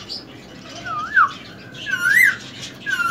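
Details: Indoor pet ring-necked parakeet, a three-year-old semi-tame male, repeats a wavy whistle that dips and rises, three times about a second apart, above faint room noise.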